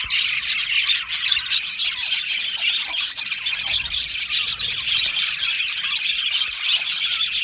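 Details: Many budgies in an Australian budgie aviary colony, chirping and singing; constant high-pitched chatter with short whistled notes and squeaky squeals woven through the dense chorus.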